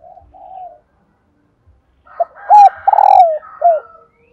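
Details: Spotted dove, a female, cooing: soft low coos followed by a burst of short, arched, hoarse notes, repeated with uneven spacing.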